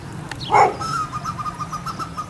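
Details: African black duck at a waterfowl ranch in Holland giving a single short, harsh quack-like note, then a faint steady thin whistle over a low background rumble.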